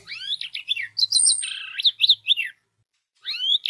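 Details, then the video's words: Orange-headed thrush song played as a lure to set other orange-headed thrushes singing: a rapid, varied run of high whistled and slurred phrases, some rising and some falling, ending with a short pause and one more rising phrase. "DENGAN SUARA ANIS MERAH INI 99% ANIS MERAH AUTO BUNYI DAN SINGSET"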